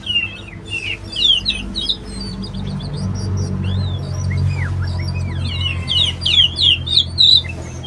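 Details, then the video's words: Oriental magpie-robin singing a varied run of bright whistled phrases, sliding and looping notes, some high and squeaky, with short pauses, over a steady low hum throughout. "Original sound of Magpie Robin"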